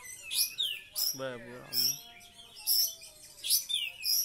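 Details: Oriental magpie-robin imitating the kapas tembak, giving repeated loud bursts of shrill, high notes and sliding whistles. A short, low, buzzy harmonic sound intrudes early on.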